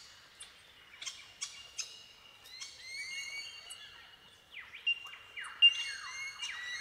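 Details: Bell miners, or bellbirds, in a colony in tall eucalyptus forest at Watagans, south-eastern Australia, giving ringing tink calls: short clear notes and steady bell-like tones overlap into a windchime chorus, with several quick downslurred whistles late on.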